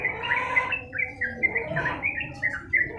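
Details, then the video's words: Trucukan, the Sooty-headed bulbul, in vigorous sustained song for tutoring: brisk, clear whistled notes in quick succession, short bright slurs separated by brief gaps, with a faint murmur underneath. "masteran burung trucukan gacor ngedur durasi panjang"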